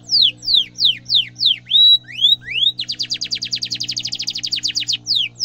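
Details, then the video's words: Chirping, rolling canary song meant for training young canaries: loud descending slurs and rising swoops, then a long, even, rapid trill of sharp high notes, with a faint low hum. "kenari gacor cuit cuit ngerol tajam suara kesukaan semua kenari efektif buat masteran kenari muda"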